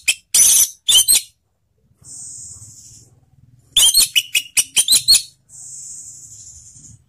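An orange-headed thrush sings bursts of loud, harsh, rapid notes, broken by long, thin, high hissing trills. No other sounds are heard.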